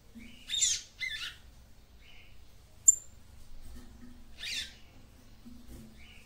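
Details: A female papa-capim seedeater gives harsh raspy chirps, a sudden piercing squeak and short thin notes, calling to stimulate the male, with faint low hum behind.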